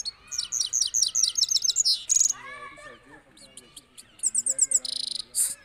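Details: Singing European goldfinch, known locally as saira, balkashal style: fast strings of bright, high, metallic twittering notes, a short buzzy trill, lower warbled notes midway, then more rapid high chirps.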